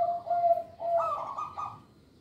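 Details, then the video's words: Short snatch of local zebra dove song used for training young birds: a sustained mellow coo sliding into a brighter, wavering higher phrase that fades out. "Perkutut Lokal Suara Istimewa, Pemikat Bakalan"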